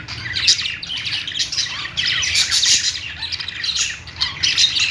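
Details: Budgerigars kept as pets chatter and sing together: rapid squeaky chirps, harsh short squawks and twittering runs overlapping without pause, rising into louder bursts around the middle.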